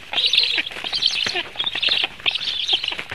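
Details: Latvian black storks being fed, recorded 17 July 2015 at 16:57; continuous squeaky, high-pitched chattering in quick clustered bursts with a few clicking notes, no other sounds standing out.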